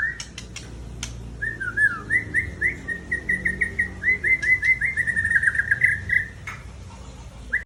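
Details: A mature male white-rumped shama from Tangse, Aceh, pours out a long continuous chattering run of quick, evenly pitched notes lasting about five seconds, preceded by several sharp clicks.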